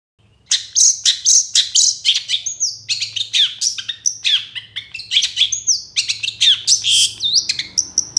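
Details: Long-tailed shrike singing energetically, used as a lure to make reluctant shrikes sing: a fast, dense run of varied sharp chirps, high whistles and scratchy notes, about four per second, with a faint low hum beneath.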